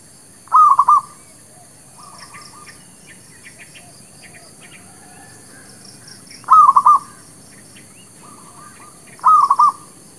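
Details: Zebra dove lure song for trapping and for new birds: short pulsed cooing phrases alternate with softer trailing notes, repeating at irregular intervals, while faint high chirps of other small birds are heard.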